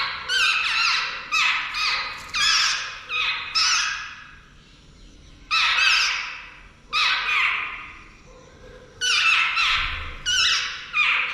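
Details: Jungle babbler chicks about to fledge, calling with harsh, raspy, broadband squawks in short bursts. The calls come in quick clusters, with some overlapping, about a dozen in eleven seconds, separated by brief pauses. No other clear sounds.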